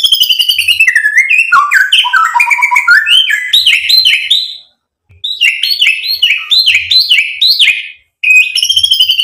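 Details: White-rumped shama song used to provoke other birds into singing: rapid runs of varied whistled and chattering notes sliding between high and middle pitch, in fast bursts broken by brief pauses.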